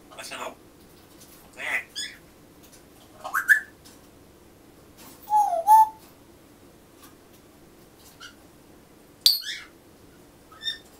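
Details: A pet grey parrot indoors, murmuring to itself; scattered short vocal bursts with rising whistled sweeps and a warbled, speech-like phrase, separated by quiet pauses, plus a sharp click.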